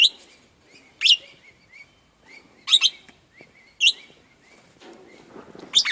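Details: Captive golden-shouldered parrots give sharp, high chirps about once a second between softer repeated whistled notes while feeding on freshly picked grass heads, eating both the stems and the seeds.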